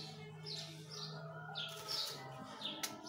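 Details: Orange male Belgian canary, carrot-coloured, kept as a pet: short high chirped notes come roughly every half second, set against a steady low hum and faint indoor background.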